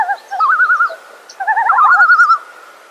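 A common loon gives two bursts of rapid, quavering, laughing notes, each wavering up and down for about a second, with quiet background between.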